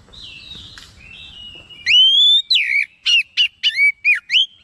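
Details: Agitated oriental magpie-robin (kacer) responding at once, singing nonstop and pouring out its learned song material; after quiet wavering whistles, loud bright whistled notes come in quick, rising-and-falling bursts about four per second.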